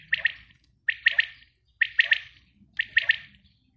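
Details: Female common quail calling: a crisp three-note phrase, quick and liquid, repeated about once a second, four phrases in all, against quiet background.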